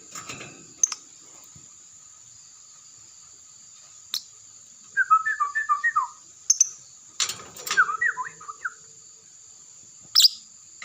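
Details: Lovebird, a first-place contest champion: two short bursts of rapid, clipped chirps rising and falling in quick succession, separated by silence, with a steady thin high whine throughout and occasional sharp clicks.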